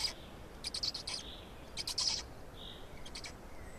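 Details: Black storks in Estonia during feeding, 16 May 2019 at 12:47: bursts of harsh, hissing, high-pitched notes in two clusters, with a short soft whistle in between, over steady background hiss.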